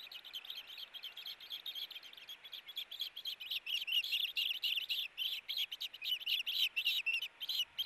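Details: Two ospreys contesting a fish at the nest on 4 August 2018: frantic, rapid high-pitched chirping, notes tumbling quickly and irregularly, loudest in the second half.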